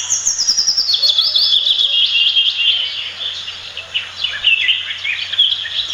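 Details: At a backyard nest in Marilao, Bulacan, Philippines, a territorial Pied fantail gives rapid, high-pitched chirping: dense, tumbling twitters and short downslurred notes repeated several times a second. A faint low hum runs throughout.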